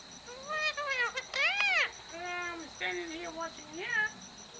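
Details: Conversing with its owner, a two-and-a-half-year-old male pet Indian ringneck parrot utters high, nasal, speech-like arched syllables, several quick bursts over a few seconds, with a faint constant electrical whine behind.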